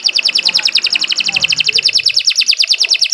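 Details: Canary in long continuous song used for training other birds: a single fast rolling trill of rapid pulsed high notes, steady and bright, with faint low background noise.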